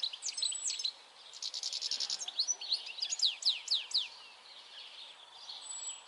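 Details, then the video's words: European goldfinch recorded on 22 May 2021, singing a fast twittering phrase of high buzzy trills and steeply descending chirps, then quieter; light background noise outdoors. "Stieglitz Distelfink"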